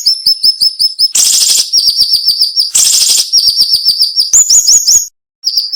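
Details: Cinnamon-bellied flowerpecker, sharp, rapid-fire song used as a tutor recording for songbirds: quick trains of high, thin chipping notes with two loud buzzy rasps, then a short pause.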